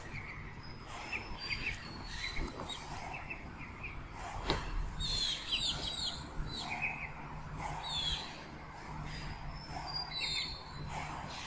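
High, thin peeping notes from a young goose, short rising and falling chirps in irregular bursts, over steady low rumbling background noise.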